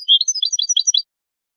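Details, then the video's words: A goldfinch song fragment from a tutoring recording: about a second of quick, bright twittering notes delivered in a rapid run. "أجمل تغريد لتلقين#الحسون"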